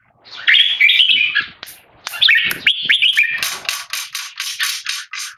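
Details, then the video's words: Red-whiskered bulbul, a tame Singapore-raised male disturbed by humans during a keke training test: bursts of harsh chattering, then a steady series of rasping broadband notes repeated about five times a second. "นกหัวจุก JAMBUL- Virgo - Tame - Loud Clear Keke Training Test"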